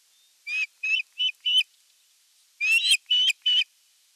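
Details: An osprey at a Finnish nest, evening of 30 June 2022, gives sharp, high whistled chirps in two quick bursts of about four notes each, with a short pause between them; nothing else is heard.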